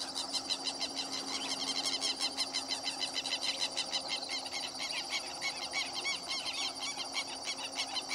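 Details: Plumbeous ibis at San Wendelino, Santa Fe, Argentina, giving harsh, metallic, honking calls in a fast, overlapping stream, about three a second, over a faint steady hum.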